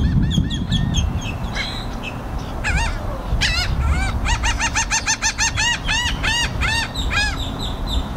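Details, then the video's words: Seagulls and black-headed gulls yelling, stereo camera microphone recording: a flock gives rapid series of harsh, arched squawks, sometimes in quick runs of four to six, over heavy low rumble of wind or handling noise. "Loud Bird Sounds, Seagulls Yelling"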